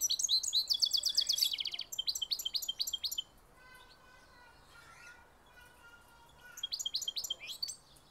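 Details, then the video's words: Hybrid goldfinch song: rapid high chirps and a buzzing trill, then a quiet spell with faint thin tones, before bright twittering notes resume near the end. "Mixto jilguero cantando"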